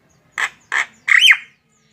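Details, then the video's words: Javan myna, known locally as jalak kebo, singing energetically: two short harsh rasping notes followed by a longer squawking phrase with a sharply bent whistled element, in a quiet setting. "SUARA BURUNG JALAK KEBO GACOR"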